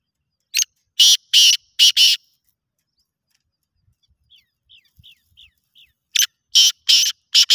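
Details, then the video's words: Black francolin (kala teetar) in a calling competition, giving loud, harsh, grating phrases of four rasping notes, repeated after a pause, with faint short chirps in between. "Kala teetar ki awaz ka muqabala, black francolin voice competition, Kala teetar ki chakri ki awaz"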